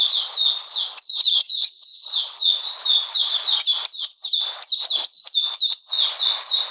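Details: Oriental magpie-robin in cold, rainy weather on 13 June 2020. It delivers a rapid, steady run of sharp, high whistles, each sliding downward and repeated about four times a second, against a quiet background.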